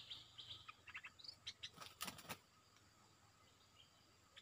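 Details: Red-breasted parakeet, a caged decoy bird calling to lure down a wary wild territorial bird that has resisted the trap for a year: a rapid series of short, sharp chirps, then loud broadband clicks and rustling near the end.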